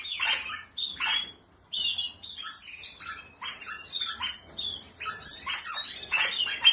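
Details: Canary linked to Spanish Timbrado, Malinois and Portuguese Harlequin breeds, giving bursts of bright chirps and short warbled phrases separated by brief pauses, with a harsh rasping edge on some notes.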